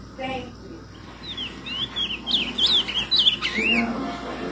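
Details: Ultramarine grosbeak singing while perched on a person's hand: a short phrase of clear, warbling whistled notes that swoop up and down, ending in a falling slur, with soft music and speech around.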